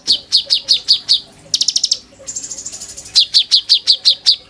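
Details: Caged oriental magpie-robin singing as a tutor bird for white-rumped shama song in sujud style: six steady downward whistles, a rapid high rattle, a thin very high trill, then eight more regular whistled notes.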